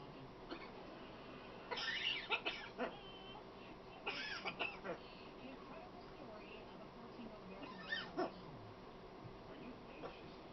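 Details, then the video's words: A female pet macaw talking: several short, speech-like squawked phrases with sliding harmonic tones, in bursts near two, four and eight seconds, separated by quiet room background. "talking macaw"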